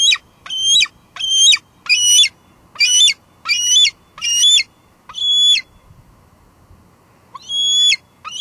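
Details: Female bald eagle calling at the nest at Two Harbors, evening of 24 July 2022, via live cam: a fast run of eight loud, shrill, harmonic squees about 0.6 seconds apart, a pause, then two more notes.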